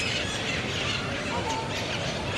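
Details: A flock of wild Crimson-fronted Parakeets (Psittacara finschi) in a park in downtown San José, Costa Rica, gives overlapping harsh raspy screeches and squawks without pause over dense city traffic noise.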